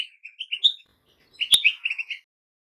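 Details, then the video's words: Goldfinch singing two short bursts of bright, tinkling twitter, each a quick run of chirpy high notes, separated by a brief pause, with a sharp click partway through the second burst. "Goldfinches - amazing song"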